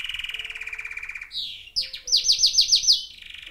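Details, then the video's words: An old male yellow canary, about seven years old and once found by a roadside, sings to music: a fast rolling trill, a quick rising phrase, then bright repeated down-slurred notes about six a second over faint music. "Yellow canary singing to music"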